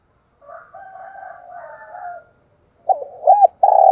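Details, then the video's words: Spotted dove calling in the morning to lure other doves: soft, low hooting coos, then three loud, short, arched coo notes in quick succession, with no other sounds. "tiếng chim cu đất gáy gọi buổi sáng/ tiếng chim cu đất kêu mồi và gọi bổi"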